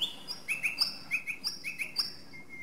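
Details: Song thrush (Turdus philomelos) delivering rapid crisp notes in paired and triple patterns, alternating between two pitch levels, ending on a thin steady whistle.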